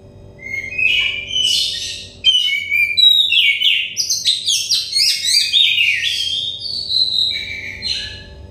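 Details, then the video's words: Song of an Oriental magpie-robin for making untrained, stressed birds sing quickly: bright whistles and a rapid stream of varied chirps and downslurs, ending in longer steady whistled notes, with a constant faint hum. "terepi kacer bahan kacer setres kacer daon cepat gacor ngeplong"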